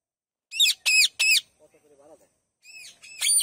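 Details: Parrots calling in the morning: three loud, harsh squawks in quick succession, then a soft, low chattering burst, then more loud squawks.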